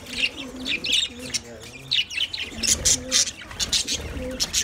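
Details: Budgies chattering to one another in quick bursts of high, twittering chirps and buzzy notes, with short low tonal glides and possible background music underneath.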